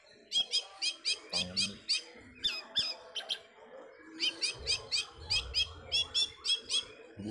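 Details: Pet orange-headed thrush, kept caged, singing shortly before a songbird contest: two bursts of rapid, sharp, high chipping notes in even runs, separated by a brief pause with low murmuring in the background.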